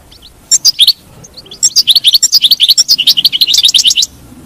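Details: European goldfinch song, played to keep a kept goldfinch singing: a few scattered chips, then a long lively stream of rapid liquid twitters and high tinkling notes for over two seconds.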